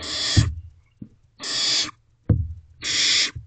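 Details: Barn owl nestlings in a nest box at night in May 2023, one working on a rodent; steady harsh hisses alternating with sharp knocks and thumps from movement in the box.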